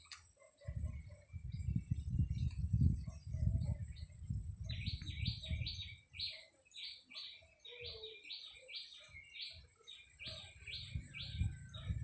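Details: Caged red-whiskered bulbul kept as a decoy bird, recorded 30 April 2025: after four seconds of low rumbling, a long run of short, bright chirped notes begins, repeated rapidly and evenly, with faint lower notes beneath.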